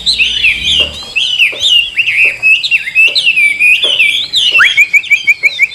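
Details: Caged wild-caught hwamei from Vietnam, praised for its forest voice, singing while fanning its tail: loud, fluid whistled phrases sweeping up and down, ending in a fast series of repeated high notes, with sharp clicks throughout.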